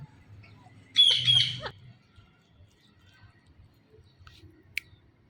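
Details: Blue ringneck parakeet, a talking parrot, giving one harsh, grating squawk of about 0.7 seconds with a doubled, pulsing quality. Quiet background with a faint low hum and a brief click afterwards.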